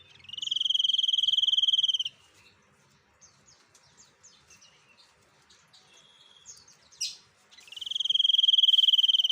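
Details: Actively singing white-breasted sniper bird giving two long, high, rapidly pulsed buzzy trills about two seconds each, separated by scattered soft chips and a brief sharp note.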